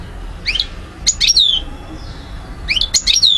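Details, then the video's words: European goldfinch recorded in Algeria in 2012, delivering two quick bursts of twittering notes capped by long, bright, falling whistles, with a quiet low hum. "Vidéo Carduelis* chardonneret* jilguero* حسون alger ( Algeria) DZ 2012"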